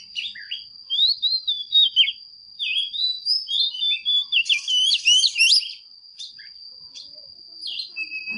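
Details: Female Oriental magpie-robin song meant to excite male birds: bursts of whistled, twisting phrases and quick chatters, fading after six seconds, over a steady high electronic-sounding tone.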